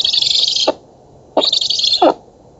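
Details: Nestling black storks being fed on an oak-tree nest in Poland, recorded by a nest camera on 11 August 2017. Two drawn-out, breathy rasping calls, each under a second, with a clear gap between them.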